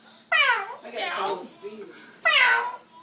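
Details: Pet orange-winged amazon parrot in a room, producing abrupt, loud, harmonic calls that slide downward, two strong bursts nearly two seconds apart with softer murmuring between, amid nearby human chatter.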